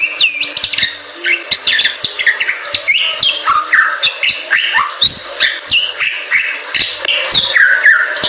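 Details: Bali myna singing in 'super gacor' style, a vigorous nonstop delivery: loud whistled notes that slide up and down, mixed with harsh chatter and sharp clicks, packed densely across eight seconds.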